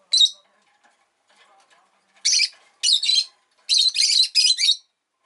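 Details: Rosy-faced lovebird chirping indoors: one sharp squeak, then a run of loud, raspy, high-pitched screechy notes strung closely together, four to five in under two seconds.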